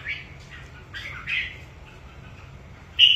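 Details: Red-whiskered bulbul kept as a songbird and readied for a coming singing contest gives a few short, slurred whistled notes, then a sudden loud clear whistle at the end, with a faint low hum throughout.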